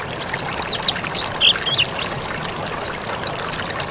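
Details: Mountain white-eye singing on a tutor recording for birds. Twittering high notes, some flat and some falling, come quicker and louder in the second half as short bright chirps.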